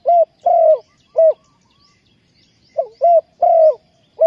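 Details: Spotted dove calling to draw wild doves to a trap. It sings two loud, close cooing phrases, each of short notes around a long wavering coo, with a few faint higher chirps in the background.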